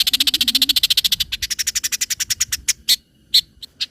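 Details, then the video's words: Long-tailed shrike lure song for tutoring other birds. A rapid, fluttering trill of high notes slows into separate sharp chips, then a pause and a few isolated piercing notes. "PANCINGAN CENDET FULL MATERI ISIAN SUARA JERNIH DAN NYARING"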